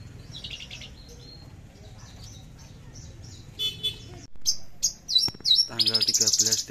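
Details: Javan bush lark in trotol style: faint high chirping at first, then loud piercing notes, sharp whistled shots and a buzzy rapid stutter at the end, with low background hum throughout.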